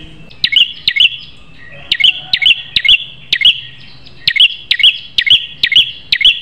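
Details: Fierce-voiced prinia song for teaching other prinias; fast series of sharp clicks each followed by a bright high chirp, in uneven bursts about two per second.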